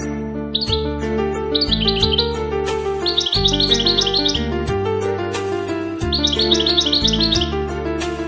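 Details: Captive European goldfinch kept by Marrakech, Morocco, hobbyists singing bright, tinkling twittered phrases in short bursts every second or two, over loud rhythmic background music.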